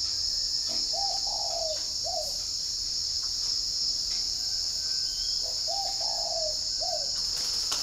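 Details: Caged spotted dove at a bird-keeping garden in Ba Vì, Hanoi, Vietnam, cooing in the morning: two low, hollow phrases of short coos, each with a longer drawn note, over a loud, steady high insect drone.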